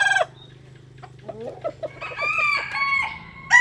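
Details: Jap Cuban bantam chicken sunbathing in rural southern Vietnam: a short hoarse crow of about one second comes after a few soft clucks and a brief opening call, with a low steady hum underneath.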